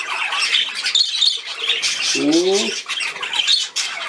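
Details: On 13 December 2019 a playing budgerigar chatters in high, scratchy squeaks and warbles, while a person's voice speaks briefly in German near the middle.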